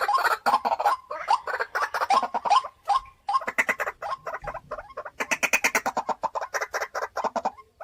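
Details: White-breasted waterhen, a home-kept decoy bird in a cage, utters repeated grating croaks. A short quieter spell comes midway, followed by a fast, loud chattering run.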